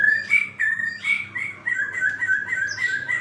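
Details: Bright-morning song of a white-rumped shama: a sequence of clear whistled notes at a steady mid pitch, some rising or dipping, repeated at a quick uneven pace over faint low background hum.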